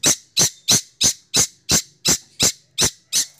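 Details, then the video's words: Long-tailed shrike, six months old, kept as a songbird, giving a steady series of harsh, clipped chack notes about three per second, evenly spaced, in a quiet room. "CENDET Usia 6 Bulan Berkualitas Roll Speed + Nembak"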